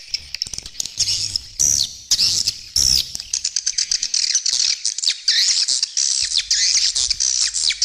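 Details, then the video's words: Swiftlet calling sound for luring edible-nest swiftlets, stereo with supporting sounds: sharp high chirps and a few clear upward whistles, then a dense run of rapid clicks and overlapping twitters. "Suara Panggil Burung Walet"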